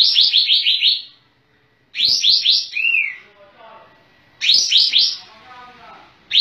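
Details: Sooty-headed bulbul in vigorous song with tail opened: rapid bubbling phrases of five or so chirps, one ending in a slurred downward note, repeated every two to three seconds.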